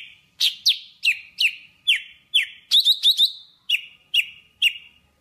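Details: Java sparrow calling its flock in song: evenly spaced bright chirps, each sliding down into a short ringing tone, with a quick triple of higher notes in the middle of the sequence.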